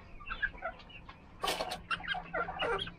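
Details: Several chickens of mixed breeds, among them Australorp, Polish, Rhode Island Red and Silver Laced Wyandotte, murmuring soft clucks, then a sudden loud rustling burst and a run of sharper clucks.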